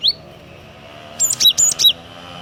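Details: Cinereous tit (glatik watu), described as a lure bird in loud song and used for tutoring other songbirds, giving a short burst of four high, clear whistled notes after a quiet start, with steady low hum behind.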